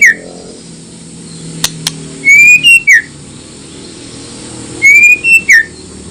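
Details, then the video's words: White-rumped shama singing to provoke rival shamas into replying: a phrase of long sweet whistles, a level note, a higher one and a falling slur, given twice about three seconds apart. "pancingan paling ampuh bakar emosi murai lain dijamin nyaut"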